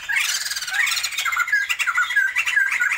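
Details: Continuous loud, harsh laughing chatter from a captive pair of Sumatran white-crested laughingthrushes being tried for breeding, dense overlapping cackles with warbling inflections throughout.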